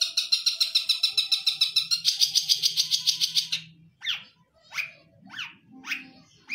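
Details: Long-tailed shrike (cendet), a kept Indonesian songbird that mimics other birds, pouring out a rapid even trill of high chattering notes for several seconds, then switching to separate sharp downslurred calls.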